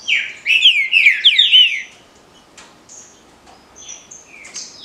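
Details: Green-winged saltator delivering a dense, rolling phrase of strong slurred whistles in the Paraná liso batido style, then quiet high whistled fragments and ticks.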